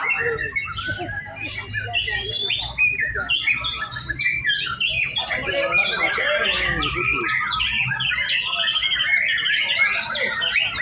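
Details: White-rumped shama singing during an afternoon contest simulation, routine practice on hanging poles: a dense, fast stream of varied whistles, chirps and rapid trills, with people talking in the background.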